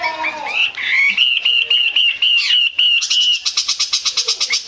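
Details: Caged female hwamei's call, kept to excite males into song: warbling slurred notes rising into a long, steady, ringing whistle, then a quick regular run of short sharp chips at about four per second.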